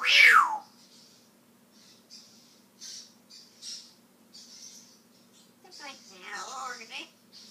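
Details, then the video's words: Pet talking African grey parrot mimicking words: opens with a loud, sharp, falling squawk, then quiet high ticking. Near the end comes a longer run of voiced, speech-like chatter. "the talking African grey. He shares some of his vocabulary here"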